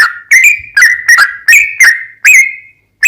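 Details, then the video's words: Sooty-headed bulbul lure song in the rapid 'ropel panjang' style. Several short, loud fluty notes with bright overtones come in uneven bursts separated by brief silences. "TRUCUKAN GACOR ROPEL PANJANG"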